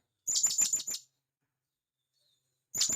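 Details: Wild blue-crowned hanging parrot calling companions in the forest, giving a rapid run of five piercing high-pitched notes, a silent gap of over a second, then another shrill burst starting.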